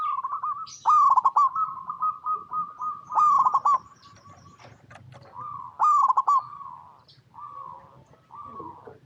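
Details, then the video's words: Local zebra dove, recorded in its natural habitat and used to coax other zebra doves into song: repeated loud phrases of quick, bubbling coos on one pitch, each phrase trailing into longer drawn notes, with short gaps between. "Perkutut Lokal Gacor Suara Paling DiCari Untuk Pancingan Semua Burung Perkutut Agar Bunyi"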